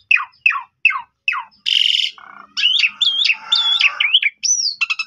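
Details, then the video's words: Asian pied starling (jalak suren) singing in full voice as a lure for untrained birds. Four quick falling chirps, a harsh rasp, a low buzz, then warbling whistles with a final slurred whistle and clicks. "Jalak Suren Bahan Langsung Respon Nyaut Gacor"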